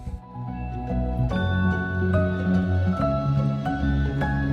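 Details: Soft instrumental music with sustained low tones, steady mid-range notes and light plucked accents, and no animal voices.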